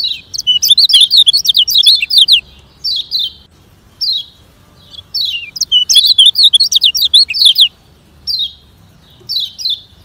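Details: Lemon-bellied white-eye from Lombok in fast training song for sluggish birds: bursts of rapid, high-pitched twittering alternate with lone downslurred whistles, with the phrases repeating every few seconds in quiet surroundings.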